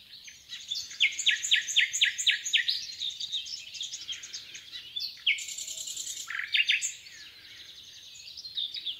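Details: Common nightingale song recorded in the Rawka river valley near Doleck: a fast series of repeated chopped notes, then buzzy and twittering phrases with a brief high burst, backed by a dense chorus of other birds.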